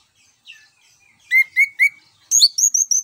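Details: Orange-headed thrush in ngeplong style, meant to draw song from other birds: three clear, evenly spaced down-slurred whistles, then a rapid string of higher, thinner whistled notes.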